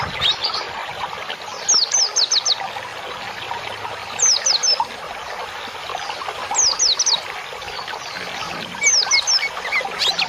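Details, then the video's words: Cage-bird training song meant as bird therapy: bursts of high, quick descending whistled notes repeat about every two to three seconds over a steady trickling water sound, with scattered softer chirps between. "MASTERAN INI BUAT TERAPI BURUNG"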